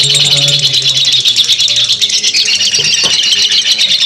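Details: Lovebird giving a long ngekek chatter, used as a simulation to help other lovebirds adapt: a dense, rapid, high-pitched twittering run without pause, with a low steady hum underneath.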